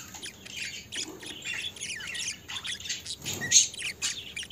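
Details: Pet budgerigars keeping up a busy, grating chatter of scratchy squawks, clicks and short warbled chirps, closely spaced and overlapping, with a louder sharp note toward the end.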